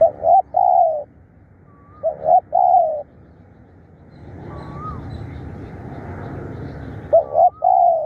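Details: Three phrases from a decoy spotted dove calling fiercely, each a short coo and a longer slurred coo, with thin slurred whistles from another bird between them and a soft background hiss.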